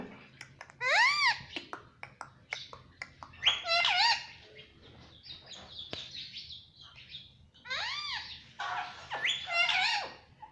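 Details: Indian ringneck parakeet kept as a pet, chirping in repeated bursts of loud, harsh, arched squawks mixed with sharp clicks and short chirps, separated by brief pauses, with a faint hum behind.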